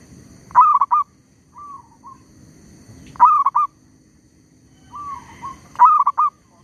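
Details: Zebra dove used as a lure bird for trapping wild doves, keeping up its call despite a tree squirrel nearby; stuttered cooing phrases near the same mid pitch, each a quick burst of notes, repeating about every two and a half seconds over low rumbling background noise.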